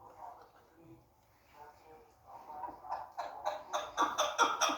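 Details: A female chukar's harsh chuck notes start softly and speed up into a loud, rapid series, about four per second by the end. The call is used as a hunting lure.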